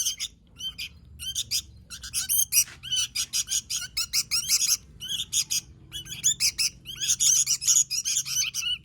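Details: Sooty-headed bulbul in full gacor song: clustered, bubbling chirps in quick bursts separated by short gaps, becoming denser and brighter toward the end, with a light background rumble.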